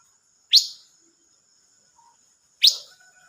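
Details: Silver-eared mesia, dated 25 May 2022: two loud, sharp, downslurred chirps about two seconds apart, with a faint soft note between them and a quiet background.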